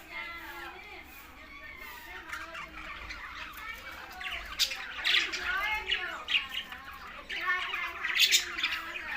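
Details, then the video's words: Several green budgerigars chattering while feeding, tagged Larkana, Sindh: rapid warbled chirps and raspy squawks that start soft and grow louder and busier after about four seconds, in bursts, with a low background hum. "Green Budgies Talking"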